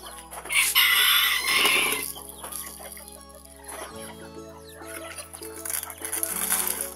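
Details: Sebright miniature chickens and chicks cluck and give a short high crow while being fed in their pen, amid background music and bright scratchy bursts spread through the clip.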